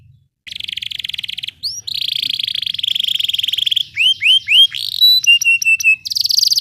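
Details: Canary song in the rolling style, used to train other songbirds: a long buzzy trill, then a lower rapid rattle, quick upswept whistles, and a pulsed series of clear high pips, ending in another harsh buzz.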